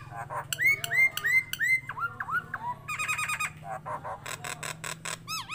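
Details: Nias hill myna, tame and actively singing: repeated clear downslurred whistles, a fast stuttering rattle and then sharp clicking notes, over a low persistent hum.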